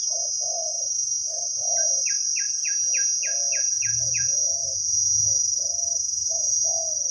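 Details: Spotted dove, a wild bird with a big voice, gives khu-ang coos while being lured with a decoy. Steady low coo notes roughly once a second, a run of eight falling chirps from another bird, and a continuous cricket-like drone.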